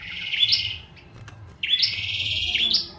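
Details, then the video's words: A Bar-winged prinia sings busily with two buzzy phrases. The first is short and ends in a bright upward flick. The second is longer and sustained, rising and then stepping up again at its close. "prenjak tamu gacor"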